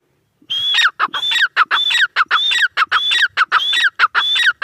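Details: Grey francolin (teetar) calling: loud, harsh three-part phrases repeated steadily about every half second, each with a high ringing whistled note and falling screechy elements, sounding clear against a quiet background.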